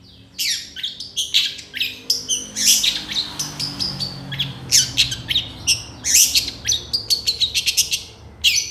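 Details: Long-tailed shrike in lively full song for training songbirds: dense, harsh chattering with scratchy bursts and quick high notes packed almost continuously.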